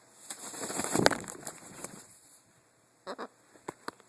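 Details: A female blue-and-yellow macaw, which makes strange sounds from time to time, gives one long, harsh, raspy squawk that swells and fades over about two seconds, followed by a few short clicks and knocks.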